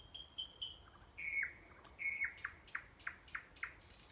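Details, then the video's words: Nightingale song from Kursk region, Kurchatov district, near a sanatorium: sustained pure whistles stepping downward, then a series of sharp, evenly repeated stroke-like notes about every quarter second. "Пение соловья"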